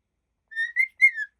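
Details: Three smooth whistled notes from a happy cockatiel, the first long and level, the next two brighter with a slight rise and fall.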